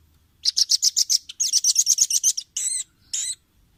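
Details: Velvet-fronted nuthatch on a clean training recording for caged birds: two fast, high, rattling trills of rapid sharp notes, followed by two longer harsh squeaky calls.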